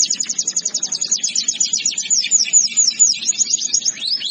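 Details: Canary song: fast rapid-fire trill of high clipped notes, then looser downward-slurred whistles and brighter rolling phrases, steady and loud throughout.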